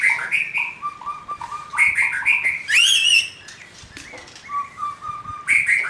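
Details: White-rumped shama, a young wild forest bird, singing a loud song of sweet whistled notes at two alternating pitches, with a sudden harsh bright burst midway.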